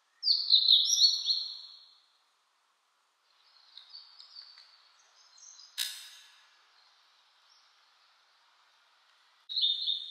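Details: Blue-and-white flycatcher in spring 2022, singing in mountains with fresh foliage after rain, on a cloudy 14°C day. It gives a loud whistled phrase, quieter warbled notes, a sharp click, then a new high phrase.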